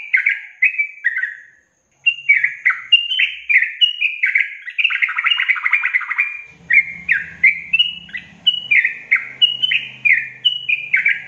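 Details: Yellow-vented bulbul in a long-trill song meant for training songbirds: a brief phrase, a short break, then a sustained rollicking stream of liquid chirps and warbled notes, with a low hum beneath during the second half.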